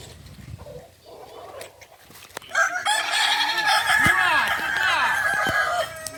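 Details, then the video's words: Indigenous Kokok Balenggek chicken of Solok, West Sumatra, at a crowing practice event; faint murmurs and clucks open, then a loud, sustained crow of rapid, stair-stepped syllables runs for over three seconds amid overlapping calls. "Latberan ayam kukuak balenggek.. ayam asli solok sumatera barat"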